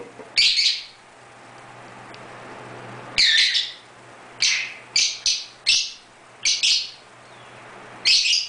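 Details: Scattered shrill chirps from pet lovebirds playing in their indoor birdroom, arriving singly and in quick pairs with pauses between, each call short, scratchy and high.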